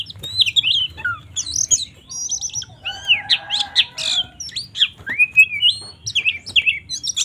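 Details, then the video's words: Energetic white-rumped shama fighting song used to rouse rival shamas: tumbling mix of high chirps, upslurred whistles and buzzy bursts delivered rapidly without pause, with a low background hum. "Suara burung Kacer GACOR TARUNG NGOBRA ini paling ampuh untuk menaikan emosi kacer"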